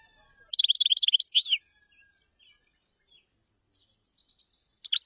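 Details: A single chaffinch phrase: about a second of quick repeated high notes ending in a brief flourish, followed by faint scattered chirps and the start of another phrase.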